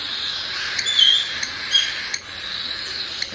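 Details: Month-old captive cockatiel chicks from a breeder in Tokachi, Hokkaido, Japan, giving their chick-only 'jaa-jaa' begging. A steady raspy, hissing chorus runs throughout with a few brief louder rasps and faint music behind.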